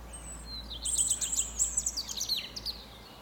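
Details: European robin's morning song from a fir: a faint thin high note, then a burst of quick tinkling, sparkling notes that spill downward in a sweet rapid trill.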